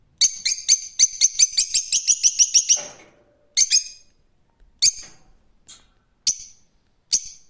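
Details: Rose-ringed parakeet giving a rapid run of about a dozen shrill, harsh screeches within three seconds, then a few single piercing calls spaced about a second apart, each with a short echoing tail.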